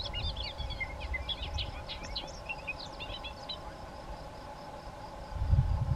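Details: A male Bobolink in a large grassy field in New Hampshire pours out a rapid, bubbling, R2D2-like jumble of tinkling, metallic notes that leap up and down for about three seconds, over steady wind rumble.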